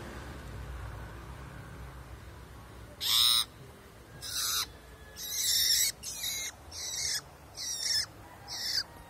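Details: Long-tailed shrike in the wild giving about seven harsh, raspy, noisy calls after a quiet start. Each call is under a second long, and they come roughly once a second, some with a brief scratchy tail. A low hum runs underneath.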